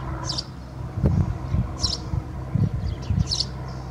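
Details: A house sparrow singing into a swallow's nest at Alikes, Kitros, Pieria, Greece, in April 2021 gives three short, high chirps about every one and a half seconds, over steady low rumbling and a few dull thumps.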